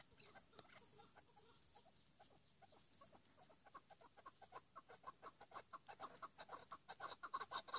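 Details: Chukar partridge 'pat' calling: quiet, irregular notes at first, then a steadily louder, faster train of sharp chucking notes building toward the end.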